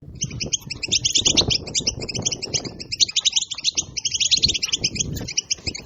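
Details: European goldfinch song, used to excite other goldfinches: fast, continuous twittering of bright, tinkling high notes in dense chattering runs throughout, with some low thumps and background noise underneath.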